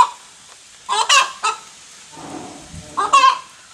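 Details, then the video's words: After laying an egg, a hen gives a few loud, raspy squawking clucks in two short bursts, with quiet shuffling in between. "Hen makes noise after laying egg"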